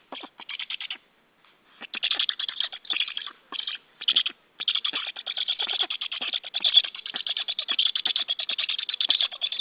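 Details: White stork at its nest, live-streamed nest camera recording from 28 July 2013 around 09:23 in the morning; rapid rattling, chattering pulses in bursts with short silent gaps, then a long continuous harsh chatter, thin and tinny through the stream.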